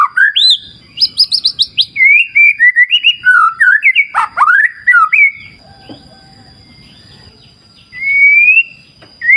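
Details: White-rumped shama (murai batu) singing against a clear-river wild nature backdrop: loud varied whistled phrases, rising slurs and rapid chattering trills, then a pause filled by low rushing water before a final rising whistle; a steady thin high tone persists.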